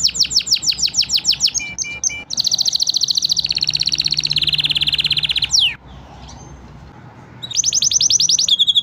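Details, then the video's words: Five canary birds in a training song: fast repeated swooping notes, then loud continuous rattling trills for several seconds, a pause, and a return of quick swooping notes. "5 canary birds singing / best training song"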